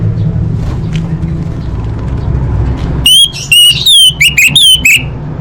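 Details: Orange-headed thrush master song with full fill-in phrases for contest birds: after three seconds of low hum, loud clear whistled notes with sharp upper chips come in rapid, uneven bursts.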